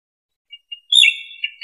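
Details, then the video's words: A green junglefowl, recorded for use in luring, gives two faint, short high notes, then a loud, strained, high-pitched call that trails off over about a second. "SUARA AYAM HUTAN HIJAU"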